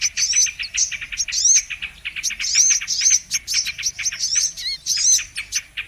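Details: Lure recording of the Brown-throated sunbird (kolibri manggar) used for trapping: quick high chirps and ticks mixed with arched warbling whistles, and one low, downward-sliding note near the five-second mark.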